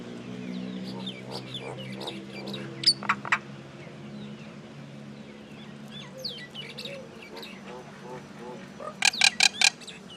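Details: Common myna calling, with scattered short harsh notes and a brief burst of rapid, stacked chattering notes near the end over a steady low hum.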